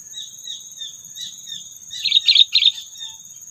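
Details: Three quick, rough chirps from a sooty-headed bulbul, a trapping call meant to stir up predators, following soft repeated whistled notes, all over a continuous high-pitched whine.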